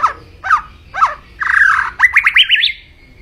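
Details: White-rumped shama (murai batu) song: three separated upslurred whistles, then a buzzy sustained phrase and a quick rising series of looping whistled notes ending in a thin held tone.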